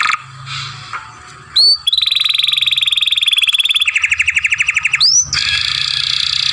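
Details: Young canary singing a masteran with long grumbling sounds: a few upswept whistles, then a long, even trill of rapid buzzy notes and a lower, fast rattling roll. A faint low hum sits beneath.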